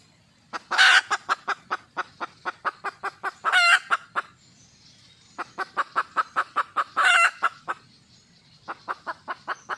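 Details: Wild red junglefowl hen calling for a mate: bursts of rapid, evenly spaced harsh clucks, about a dozen per run, with louder squawking notes inside each run and short pauses between the series.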